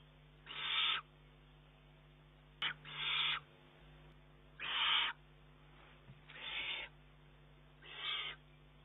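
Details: Young Eurasian eagle-owl, long able to feed itself, begging food from its mother on 19 June 2011: harsh, hissing rasps of about half a second each, repeated roughly every one and a half seconds, with steady low hum behind.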